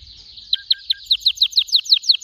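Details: Canary delivering an accelerating series of bright downslurred notes, spaced at first then quickening into a steady rapid phrase.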